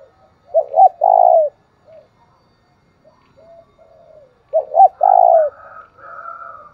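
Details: Spotted dove calling as a lure to excite another dove; a double note and long falling coo opens, soft low coos follow, then the phrase repeats and a quieter second dove answers.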